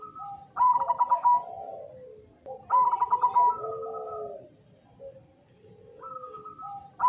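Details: Black cemani zebra dove singing (manggung), delivering two full phrases about two seconds apart, each a fast stuttering run of bubbly coos followed by mellow, lower, sliding notes, with a third phrase starting at the very end.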